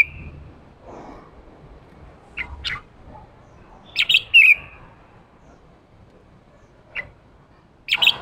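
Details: 'Ché' singing of a male red-whiskered bulbul used for provoking wild-caught birds to sing: a few isolated chirps, then a loud burst of twisting, slurred chatter, more notes after a long quiet gap.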